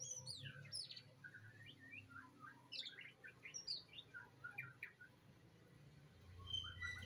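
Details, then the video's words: White-rumped shama pouring out rapid, varied whistled notes, high flicks and downslurs tumbling together for several seconds before easing off, with a low hum underneath. "murai batu teman ngopi //bikin rileksasi"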